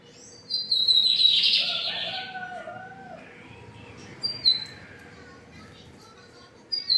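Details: Lined seedeater in Brazil singing: a high whistle into a short buzzy trill, followed by lower whistled slurred notes, then brief high whistled fragments at intervals; a steady low hum in the background.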